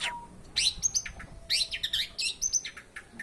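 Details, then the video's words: Busy, varied warbling from a long-tailed shrike known for mimicking many voices: rapid high squeaks, slurred chirps and short trills tumbling together without pause, over a faint low hum. "Cendet burung seribu bahasa"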